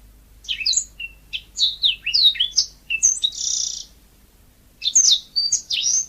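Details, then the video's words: Yellow-fronted canary in lively natural song: quick varied phrases of high sweet whistles and slurred chirps, a short buzzy note near the middle, a pause, then another rapid run of bright whistled notes. "Kicau burung mozambik gacor alami"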